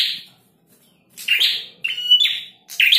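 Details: Male prinia singing actively: bright, chirpy high phrases in short bursts about every half second to second, with several notes joined into buzzy, slightly rising trills, in an otherwise quiet setting.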